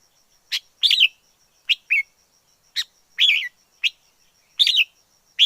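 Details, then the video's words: Red-whiskered bulbul, a wild forest bird, sings lively two- and three-part chirped phrases roughly every second, each note bright and slightly slurred. Background quiet except for a faint steady high whine. "Chào mào rừng hót hay nhất 2020"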